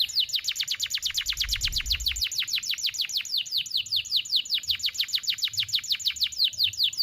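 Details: Canary master song for teaching juvenile canaries to sing, a sharp, long-breathed performance. A steady rolling trill of fast, high, downward-sweeping notes runs through the whole stretch.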